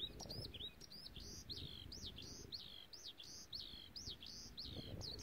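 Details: On Penghu Island, Taiwan, on 6 July 2017, an unseen singer beside a long path, possibly a bird or an insect, repeats sharp, high chirps in a quick, steady, beat-like rhythm, about two notes each second.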